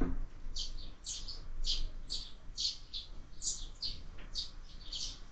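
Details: Sparrows fighting at a window-mounted feeder during year-round bird feeding; a run of short, harsh chirps repeated about twice a second, fairly soft against a low background hum.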